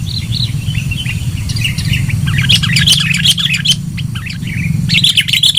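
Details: Sooty-headed bulbul lure song: loud, lively chattering of mid-high chirps and short whistled phrases, delivered in quick bursts with a brief pause, over a strong low hum.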